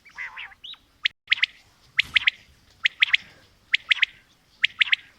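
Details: Quail calling, female and male: bright high three-note phrases, quick sharp whistles in tight clusters, repeated a little under once per second, with a rasping note at the start.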